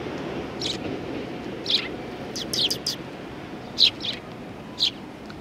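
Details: Sparrows greeting a visitor at a Tenmangu shrine, Japan, 18 September 2020: scattered sharp chirps, some doubled or tripled, about one a second, with a low rumble of passing traffic or train underneath.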